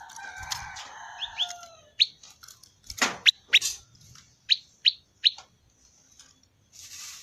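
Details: Prinia, the prenjak lumut, with its 'ceng-ceng' sound. Short slurred notes lead into a loud knock, then a string of bright, sharp, high chirps spaced unevenly over several seconds.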